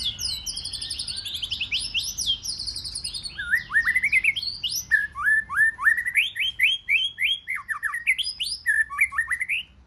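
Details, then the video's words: Wild-caught white-rumped shama singing in a competition-style stimulation session: a rapid stream of varied whistled phrases, rising sweeps and repeated upslurred notes, with thin high twitters above throughout. "Chòe Lửa Hót Giọng Rừng Kích Chòe Lửa Bổi Hót Đấu"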